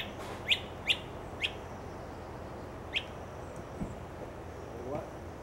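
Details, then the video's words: Great crested flycatcher at Ochlockonee River State Park, Florida, 29 April 2024, giving four sharp, high, sweeping notes, three in quick succession and a fourth after a pause, over a low background rumble. "great crested flycatcher"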